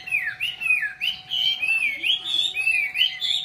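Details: Chinese hwamei song: a rapid, continuous run of bright whistled slurs, some swooping down and others rising, delivered at roughly three phrases per second, with a thin steady hum behind.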